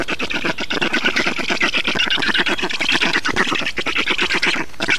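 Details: Black storks feeding at their nest in Estonia, 6 June 2019: a rapid stream of rough, grating pulses, about several per second, forming a continuous wheezy chatter with no pauses.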